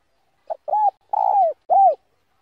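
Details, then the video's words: Slow 'giọng đồng' style cooing of a spotted dove meant to stir up wild birds: one brief note, a mellow coo, a drawn-out vibrating coo, then a final downward-curving coo, with nothing else audible. "Tiếng Cu Gáy GIỌNG ĐỒNG ( GIỌNG SÁT BỔI NHẤT ) . Gáy CHẬM RÃI Kích Bổi Hiệu Quả 100%"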